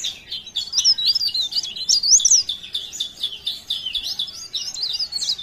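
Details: Leaf warbler singing steadily in Pare Pare: an unbroken, rapid warble of very high zigzagging notes and squeaky slurs lasting the whole five and a half seconds.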